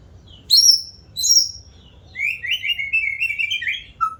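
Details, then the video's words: White-rumped shama singing two sharp, high whistled notes, then a long run of quick rolling mid-pitched notes ending with one low note. "Burung murai batu rajin bunyi"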